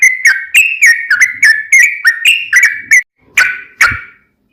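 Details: Sooty-headed bulbul song for prompting other bulbuls to sing back: a steady series of bright whistled notes, each quickly dropping in pitch, then a short gap and two harsher, breathier notes.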